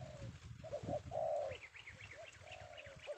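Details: Freshly captured male spotted dove, or tekukur, from Indonesia, uttering mellow, drawn-out coos while a higher, thin chirping bird calls repeatedly behind, with low rumble underneath.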